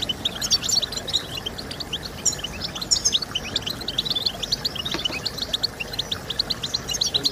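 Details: European goldfinch singing, offered to stimulate song in other goldfinches: lively, high-pitched chattering with liquid slurred notes and short trills repeated closely, over faint steady background noise.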